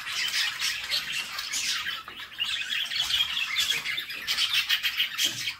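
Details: Budgerigar babies calling while being fed by their mother in the nest box: a churning mass of shrill, scratchy cheeps, swelling and fading in waves throughout.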